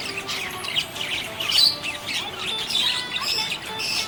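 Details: Happy budgies giving harsh squawky chirps and chattering warbles, a louder burst in the middle amid constant high twittering from several birds.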